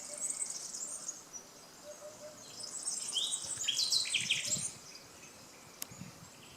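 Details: Nightingales singing by the Canal du Midi near Le Somail, Languedoc, France: after quiet high chirps, a loud phrase of rich whistles, sharp high notes and rapid trills rises and falls over about two seconds, with faint insect-like background.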